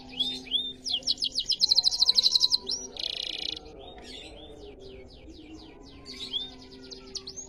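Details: Riwikan-style canary song with short chirps leading into a rapid, loud trill, a brief buzzy burst, then scattered high sweeping notes and quieter twitters over a faint background hum.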